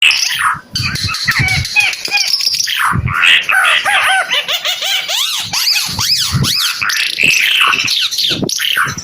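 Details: A Timor red-eyed bird pours out a loud, busy song of arched, slurred whistles and harsh chattering notes, tumbling rapidly with barely a pause.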